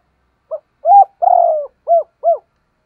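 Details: Spotted dove giving a provoking coo meant to make wild doves angry so they coo back: one clean phrase of five low hooting notes, a short soft note, two rounded coos, a longer rough middle coo, then two rounded coos.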